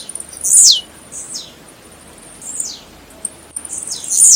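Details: Blue-black grassquit song for warming up birds: sharp buzzy notes that drop quickly from a very high pitch, given in three or four bursts roughly every second or two against a quiet background.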